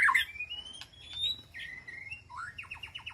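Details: White-rumped shama in an aviary calling to its flock: a harsh opening burst, long thin whistles, then a falling slur and a rapid series of short repeated notes at the end.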